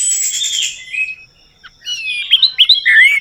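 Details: Orange-headed thrush song meant to prompt a bird that has stopped singing: a buzzy high trill fading out, a short quiet gap, then quick twisting whistled phrases ending in a bright downward slur.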